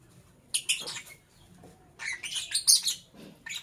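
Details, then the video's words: Lovebird chirps in the morning: dense, grating high bursts crowd together in rapid succession, with a short lull before a longer noisy flurry. "Sweet Lovebird Sounds - Chirping Sounds"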